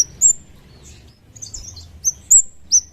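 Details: Chestnut-capped thrush lure sound: a few piercing, very high whistled notes, each a quick rising then falling slur, scattered irregularly across three seconds with some softer high twitters between them.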